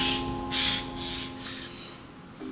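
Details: Eurasian jay in wild-grown forest giving its eerie scream, which could be mistaken for a mammal or human: harsh, rasping screams in a quick series of short bursts about half a second apart, over a low steady musical hum.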